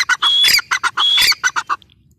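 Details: Brief burst of grey francolin calling: two long harsh notes with a high whistle, each followed by short choppy notes, fading out.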